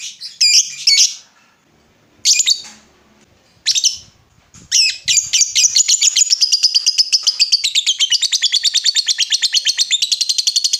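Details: Lovebird, ngekek style lure for prompting other lovebirds to answer; a few harsh squawks open, then a long rapid chatter of high chirps builds and continues steadily to the end.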